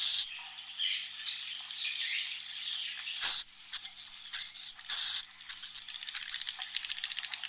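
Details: Roosting sound of swiftlets, used in a nesting house room where the birds sleep and breed. Hissing background gives way to a string of harsh buzzy bursts, each about half a second, repeated roughly every second.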